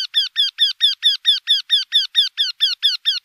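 Eurasian wryneck giving a steady run of loud, nasal, slightly falling 'quee' notes, about four each second, evenly spaced. No other sounds are heard.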